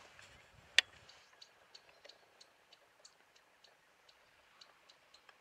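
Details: Bearded reedling (Panurus biarmicus) calling north of Norrebrohamn: a string of short, sharp ticking notes, about three per second, with one loud knock early on.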